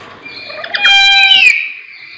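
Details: Lory call: a single drawn-out harsh, raspy screech lasting under a second, preceded and followed by softer background notes.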